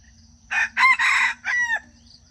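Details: Junglefowl crowing, a call used to lure wild chickens into traps: one harsh, rasping crow in four quick segments, the last one drawn out and dropping in pitch, over a faint low hum.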